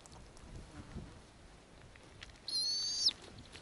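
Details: Arctic snowy owl, a female brooding and feeding nestlings, calls while offering food. After soft rustling, a single high, level, whistled squeal of about half a second sounds and ends abruptly.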